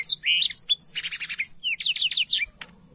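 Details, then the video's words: Tutor song of a black-throated canary for young canaries: bright rising and falling whistles, then a buzzy pulsed rattle, then more quick chirped notes that stop abruptly near the end. "BLACKTHROAT GACOR SUARA JERNIH UNTUK MASTERAN KENARI BAHAN PAUD CEPAT BUNYI CUIT CUIT"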